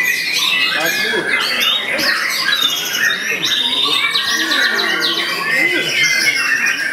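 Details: White-rumped shama, a kept songbird, delivering a full repertoire of mimicked phrases while bowing in place; rapid run of sweeping whistles, clicks and trilled notes, unbroken and loud throughout.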